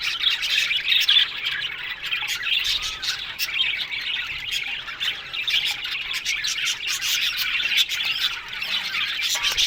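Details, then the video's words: Australian budgerigars in an aviary colony produce a constant, lively chatter of squeaky warbles, clicks and chirps, with bursts of louder squawking standing out every few seconds. "One Day Parakeet's Sounds Budgies Love Birds HD Sounds No 1"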